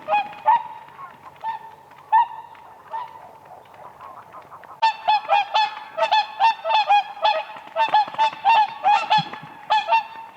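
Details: Dancing whooper swans on a frozen lake in spring: scattered nasal honks at first, then a fast run of loud, ringing trumpet calls, several each second, from more than one bird.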